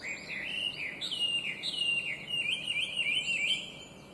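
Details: Chinese hwamei, an invasive alien species known for clear, beautiful, complex singing: loud rich warbling whistles that wander up and down almost without pause through four seconds.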